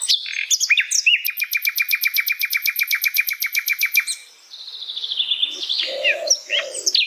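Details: Varied song from an Asian brown flycatcher in its natural habitat: a fast, even rattle of about twenty repeated notes lasting three seconds, then a thin descending whistle and lower husky notes.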